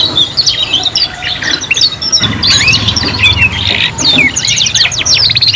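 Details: Young canaries, three at once, practising their song: lively overlapping chirps, rising and falling whistled sweeps and a fast trill toward the end, with a low steady hum underneath.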